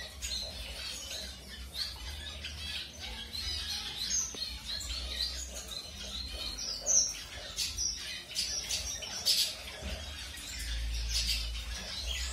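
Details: Colour-mutation zebra finch newly introduced to a new mate during pairing; dense high chirps and short nasal notes scattered throughout, with low background hum.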